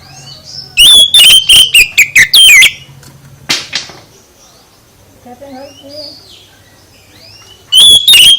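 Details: Oriental magpie-robin singing to provoke other birds: an energetic two-second run of piercing whistles and rasping chips, a single sharp note, quiet faint twittering, then another loud burst at the end.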